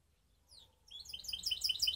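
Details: Canary hybrid (baster), Skopje: a soft descending slur, a pause, then a swelling cascade of sharp, high, rapidly repeated chirps growing louder to the end.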